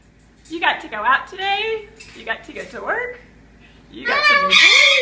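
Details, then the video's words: Male Moluccan cockatoo singing that he is a sugar and a good bird: about five short, word-like sing-song phrases rising and falling in pitch, ending in a louder, raspier phrase. "singing that he is a sugar and a good bird!"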